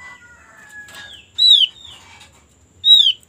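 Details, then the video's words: White-eye call played as a lure to prompt birds to sing fast. Two clear, high, downward-sliding whistles come about one and a half seconds apart, with softer slurred notes and faint lower tones between them. "pancingan paling ampuh agar cepat bunyi untuk burung opyor"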